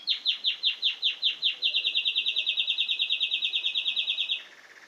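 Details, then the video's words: Canary singing in Xanthi, Greece: a run of loud, sweeping whistled notes quickly accelerates into a fast, even, high rolled trill sustained for several seconds, then drops to a softer, lower trill at the end; faint background hiss. "Singing Canary - Xanthi Greece"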